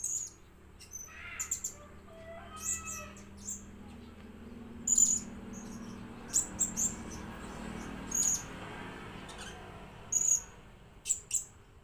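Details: Decoy blue-crowned hanging parrot producing scattered, piercing high notes and brief buzzy bursts every second or so; a few lower chirps sound early on, over a steady low hum.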